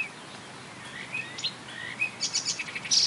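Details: Marsh warbler singing by a railway embankment near Bernau, Germany, in May 2013, mimicking tits, blackbird, lark, goldfinch and starling: a quick run of varied high notes, thin sliding whistles and bursts of buzzy chatter over quiet hiss.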